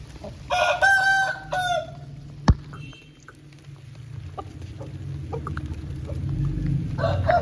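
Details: After rain, an Aseel chicken gives a rasping crow of about a second with steady harmonic bands, then a sharp knock and soft clucks, and a second crow begins at the end over low background hum.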